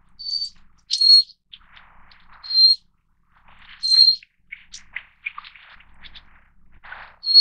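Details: Little Forktail, Taiwan's endemic subspecies Enicurus scouleri fortis, gives thin, piercing, high whistled notes, each about a third of a second, spaced over a second apart. Softer short chips and ticks fall between them in a quiet setting.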